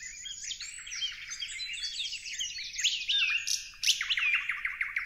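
Parrots chatter in a dense, overlapping stream of high, squeaky chirps and short shrill notes, several birds calling at once with no steady rhythm.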